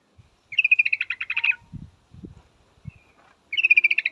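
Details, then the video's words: A female yellow-vented bulbul calls a male with a rapid chattering trill, a gap with a few low knocks, then another fast trill starting. "suara trucukan betina full memanggil jantan pasti langsung pada nyaut"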